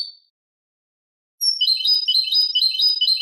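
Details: European goldfinch singing a clean Malaga-style song, recorded as a tutor for young goldfinches and goldfinch hybrids to memorise; one short high note, a pause, then rapid, tinkling, twittering phrases run continuously from about 1.4 seconds, with no other sounds.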